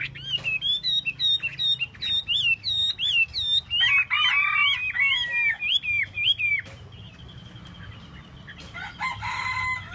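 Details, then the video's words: Hwamei (Chinese hwamei) fanning its tail while singing: a fast run of bright repeated whistled notes, then a harsher buzzy, layered stretch, ending in quieter scattered notes and a brief rasping burst. "Hoa mi mua duoi"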